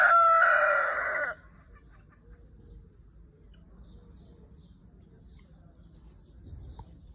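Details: A red rooster's loud, harsh crow ends in a drawn-out final note that cuts off abruptly, leaving only a faint background hum.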